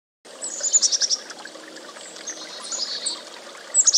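A chickadee gives quick runs of thin, high notes, about five in under a second, with another burst near the end, over steady running-water hiss.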